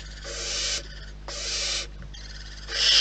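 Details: Barn owls at the nest, wild, producing three rasping hiss-screeches, each about half a second long and separated by short pauses, over a faint low hum.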